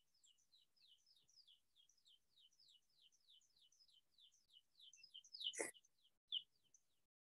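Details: American Pipit call, a bird of open agricultural areas in Iowa mostly met on fall migration, also in spring: a fast, even series of high, clear down-slurred notes, three or four a second, with a loud handling thump near the end.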